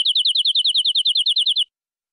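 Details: Local Indonesian canary, described as a genuine forest bird, in a full, ornate song. It produces a steady rattling trill of about fifteen high, downward-sliding notes over one and a half seconds, then stops abruptly. The background is silent.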